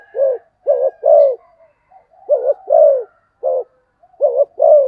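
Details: Spotted dove giving fast 'thúc gù tốc độ' coos: low, hollow notes in pairs and triplets, the later notes longer and fuller, with short quiet gaps between the groups.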